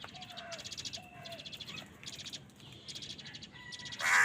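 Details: Crows competing for food give moderate, grating caws against a steady chatter of other birds and short whistles. A sudden loud, harsh caw bursts out at the end.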